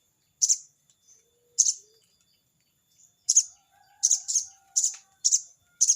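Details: Crested jay (sogon) calling to a rival: rough, grating crecet bursts, first spaced about a second apart, then coming in a rapid run of six close together. Thin whistled notes from other birds are faint behind.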